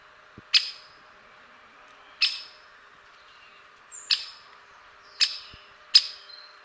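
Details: Sharp, explosive single kik calls of a great spotted woodpecker, five in about six seconds at irregular spacing, each clipped and high, with faint low knocks and little else around.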